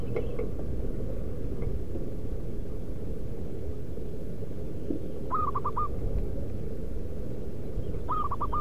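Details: Wild local zebra dove calling in the wild, a sound used to lure other zebra doves: two rapid bursts of four soft cooing notes near the end, after a long gap, with constant low background noise.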